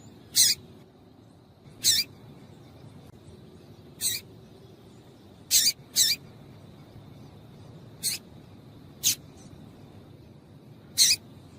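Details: Female double-collared seedeater calling to excite the male: short, sharp, high squeaky notes spaced irregularly one to two seconds apart, some in quick pairs, over a low steady hum.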